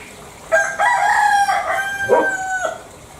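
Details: Bali green junglefowl crowing once. A sudden harsh onset leads into a long, rasping, level tone of about two seconds, with a brief rougher break near the end before it cuts off.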